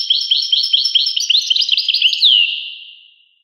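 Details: European goldfinch delivering a fast series of tinkling, twittering notes that build into a buzzy jumble and close with a drawn-out descending slur fading away.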